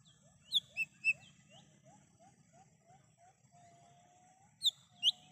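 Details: Lesser green leafbird singing in the wild, used as a lure for bird catching: three bright whistled notes, a faint lower series of soft chirps from another bird, then two more loud whistles.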